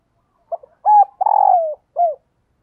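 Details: Cooing of a spotted dove kept as a decoy for attracting wild doves: a quick hoot, a two-part note, a long falling coo and a clipped descending final note, all in a quiet setting.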